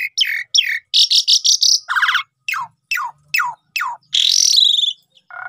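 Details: Asian pied starling song used as a lure for singing birds: buzzy trills, a series of steep descending whistles about every half second, and a drawn-out harsh rising note.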